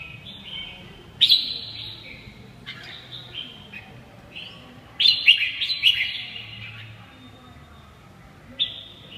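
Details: Red-whiskered bulbul singing: bright whistled phrases of sliding, slightly falling notes, with sharper louder bursts near the start, middle and end, and a faint low hum underneath.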